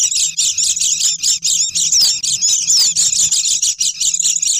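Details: Oriental white-eye calls recorded as a bird-catching lure: a steady wall of high, shrill twitters with a few clear downslurred whistles, plus a low hum in the background.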